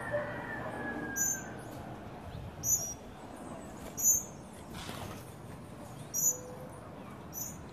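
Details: Tropical mockingbirds, adults with young, gathered to eat at a feeder in Trinidad on a sunny day. Brief, sharp, very high chips are spaced roughly every one to two seconds against steady low ambient noise.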